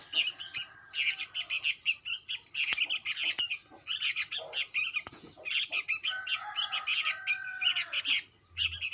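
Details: Sooty-headed bulbul nestling calling nearly nonstop with harsh, high squeaky chirps in quick runs, a few sharp clicks and brief pauses between bursts.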